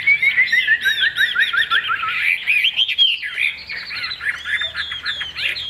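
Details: Chinese hwamei, a caged bird kept for its song. It delivers a rapid descending series of bright whistled notes, then a dense, tumbling jumble of loud slurred phrases without pause.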